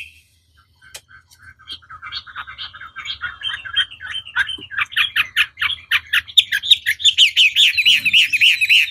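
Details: Chinese hwamei song for provoking rival birds: quiet scattered chips swell into a steady series of rhythmic, rasping notes that grow louder and end in loud rolling whistles.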